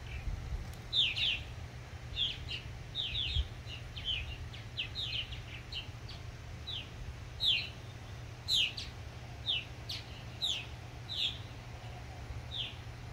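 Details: Purple martin adults urging new fledglings: scattered bursts of short chirps and gurgles, spaced about a second apart, over a constant low hum of background noise.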